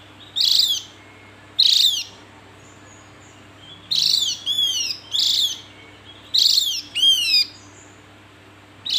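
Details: Harsh scratchy notes from a Javan grey-throated white-eye, several followed by quick sets of three or four descending whistled slurs, delivered in bursts every couple of seconds over a low electrical hum.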